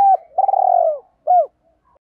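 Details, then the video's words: Spotted dove used as a decoy to stimulate rival birds: a short opening note, then a longer purring coo that slides downward, followed by a brief arched coo, clear with no background. "tiếng chim cu gáy kích bổi"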